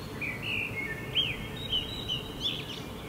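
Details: In moonlit Helsinki, Finland, July 2016, a common blackbird sings at night: a chain of rich whistled notes and slurred upward turns, rising to a twittering finish, over a persistent low background drone.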